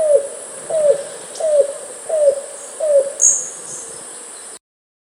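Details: Yellow-billed Cuckoo, the 'rain crow' whose call is said to portend rain, giving five hollow, down-slurred 'kowlp' notes, one about every 0.7 seconds, over a thin, steady high insect drone.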